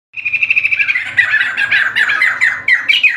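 A White-crested laughingthrush pours out a loud, fast, jumbled chatter of bright whistled notes and rattles, unbroken for three seconds.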